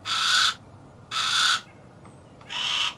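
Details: Three loud, grating rasps from a Harris's hawk, each roughly half a second long and spaced over a second apart, over soft background hiss.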